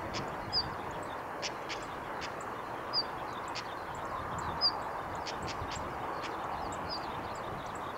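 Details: Female Siberian stonechat giving its ground call at Kita-Fuji training area, Japan, 20 May 2018: faint, short high whistles about every two seconds, mixed with dry tick notes, over a steady low rushing background.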